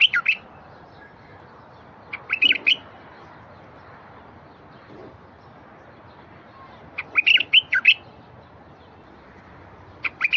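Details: Bulbul song to stir silent wild bulbuls into song. Several brief warbled phrases of rapid slurred notes are separated by pauses of a few seconds, over a faint hiss.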